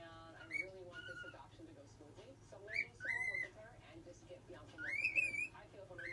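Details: Pet cockatiel learning to whistle: clear whistled notes sliding upward, separated by pauses, over soft murmuring human voices and a low steady hum indoors.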